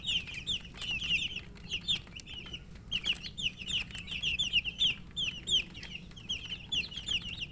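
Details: Flock of colour chicks peeping for drinking water during feeding, a loud, unbroken chorus of bright, downslurred cheeps, several per second, some in quick doubled pairs, with faint clicks behind.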